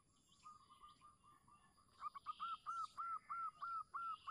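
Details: Local zebra dove call used as a lure to get silent doves singing: faint cooing at first over background hiss, then a clear evenly spaced series of about ten rounded coos.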